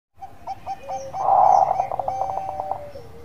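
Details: Bangkok-type zebra dove singing: a faint run of short stuttering notes builds into a louder burst of rapid coos, then a trailing drawn-out tone, with other soft steady tones behind.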